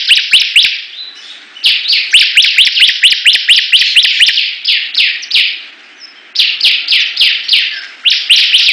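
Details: Bar-winged prinia (ciblek) in a song battle with other birds: loud sweeping downslurred notes repeated roughly twice a second in long bursts, broken by a short lull, with sharp clicks overhead.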